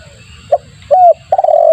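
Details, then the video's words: Spotted dove lure call to attract birds: a short note, a rising-falling coo, then a long vibrating coo trailing downward, with soft low hum behind. "suara pikat tekukur bagus untuk pancingan"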